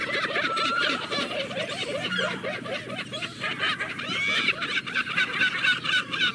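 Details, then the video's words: Colony of seagulls with continuous overlapping cries and fast repeated low strokes, a steady crowded din throughout. "Relax with the sound of the seagulls"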